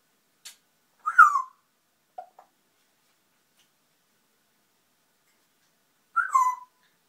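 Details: Pet grey parrot chattering to itself: two matching swooping whistles about five seconds apart, with a couple of tiny clicks between and silence otherwise.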